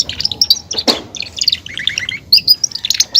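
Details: Belgian canary song made of choppy, quick high chirps and short warbled phrases, delivered in a busy stuttering stream with one sharp clicking burst near the start.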